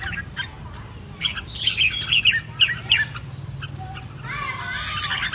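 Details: Red-whiskered bulbul kept in a cage, in fighting-song style: quiet start, then a burst of loud sharp whistled notes about every third of a second, ending in softer rising warbles. Low background rumble.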